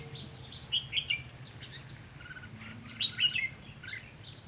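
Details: A Red-whiskered bulbul at a trapping site, 18 September 2016, gives two short bursts of sharp chirping whistled notes, each a rapid run of three or four notes, separated by quieter background hiss and low hum.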